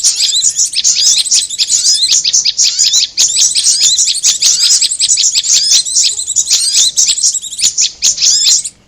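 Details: High, rapid chattering from a prinia and korlap lure: overlapping sharp chips and twitters that run nearly unbroken and stop abruptly at the end.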